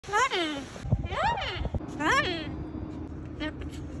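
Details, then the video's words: A pet talking cockatoo speaks three drawn-out, voice-like phrases that swoop up and down in pitch, about one a second, then a fainter fourth over low household noise. "Moments in the life of a talking parrot"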